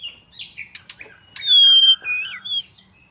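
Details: White-rumped shama from a Kendal bird farm giving a short phrase: a few clipped chips, then a long pure high whistle and brief dipping whistled notes.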